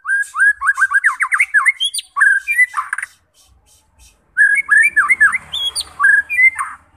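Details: White-rumped shama song used to provoke fighter birds into singing: rapid series of loud slurred whistles swooping up and down, a short pause, then another burst of varied whistled phrases.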